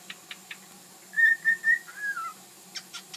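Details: Pet bird, recorded indoors in 2010, singing and making funny noises: three clear whistled notes at an even pace, then a short wavering whistle that slides downward, with faint clicks and taps before and after.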